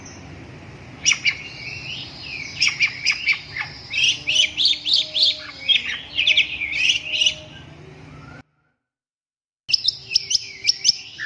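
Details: Long-tailed shrike singing a busy, chattering warble of rapid high chips and short whistles over a steady low background hum, broken by a sudden silent gap before the song resumes.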